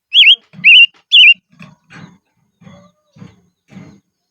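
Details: Decoy silver-eared mesia singing in the highlands: three loud, wavy whistled notes in quick succession, followed by soft low rumbling thuds and faint scratchy sounds repeated about every half second.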